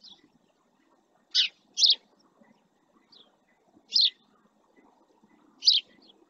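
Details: A male house sparrow (Passer domesticus) resting close to the camera in the marsh at El Rocío, Doñana National Park (Almonte, Huelva, Spain), gives four or five loud, bright single chirps, unevenly spaced, over a faint low murmur.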